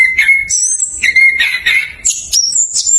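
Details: Orange-headed thrush rolling song for luring thrushes that will not sing: a steady clear whistle held at mid pitch, then higher ringing notes and a quick rising flourish.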